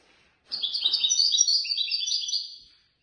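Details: European goldfinch awarded third place in a Casablanca bird-lovers' association competition, giving a continuous two-second run of rapid, chattering tinkling notes that ends with a slightly lower trill.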